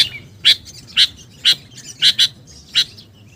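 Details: Sooty-headed bulbul lure sound: loud, crisp single chirps about every half second, one pair close together, with quieter chatter in between.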